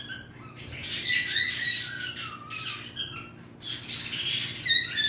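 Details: Squawky, raspy song from a pet bird, harsh bursts blended with sliding whistles that glide downward, in three loose phrases across five seconds.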